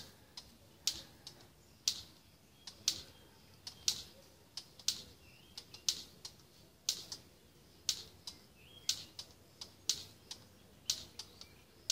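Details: Sharp, dry clicks, roughly one per second in a steady ticking rhythm, like typing or a clock, with no animal calls.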